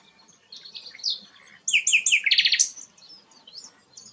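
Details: Sikatan londo, a rare bird, giving soft high warbles, then a loud burst of sweeping notes and a quick buzzy rattle, fading to faint chirps.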